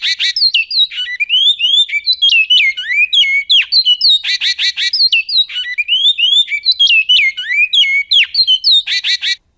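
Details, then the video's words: Great-billed seed finch singing in the Goiano style: loud, clear whistled phrases of sliding, slurred notes, repeated in bursts every few seconds against a quiet background. "CANTO BICUDO🎵 CANTO GOIANO"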